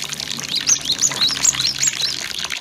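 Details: Cinereous tit singing, used as lure song to stimulate kept birds into full song: a rapid run of sharp, high, slurred chirps and upward-flicking whistles, dense and lively, set against rushing water.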